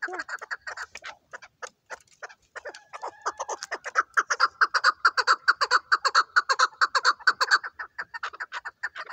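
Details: Fast, repeated throaty chuck notes from a chukar partridge, starting uneven and building into a loud, regular chattering series near the end.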